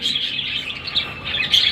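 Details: Captive home-bred ring-necked parakeet babies giving steady, harsh, wheezy rasping calls, rising slightly in places, with no break.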